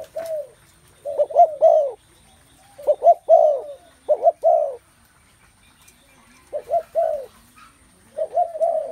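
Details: Spotted doves in a setting full of their calls: low, soft cooing phrases of three or four rounded notes. Each burst lasts under a second, with quiet gaps between groups and almost no other sound.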